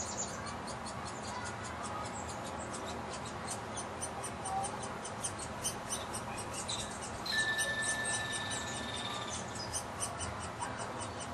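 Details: Hungry young woodpecker begging while being fed at a front-patio birdhouse: a fast, raspy chatter of high ticking notes, about three a second, over steady background hiss, with a brief thin whistle partway through.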